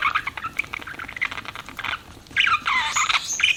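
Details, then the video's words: Pet budgies twitter in a quick, uneven chatter of small chirps. A louder, fuller burst of warbling follows midway, over a faint background hiss. "BUDGIES CHIRPING SOUND"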